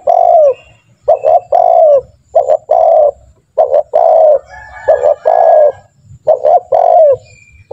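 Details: Spotted dove, a lively calling bird used as a lure to train other spotted doves to call quickly, giving a run of mellow cooing phrases: two short clipped notes and then a long, falling coo. Repeated roughly every second with brief gaps.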